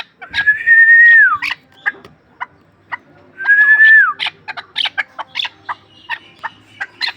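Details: Chukar partridge, a hunting bird from Ishkoshim, gives scattered clucks and short chuk notes around two long, steady whistles that each tail downward.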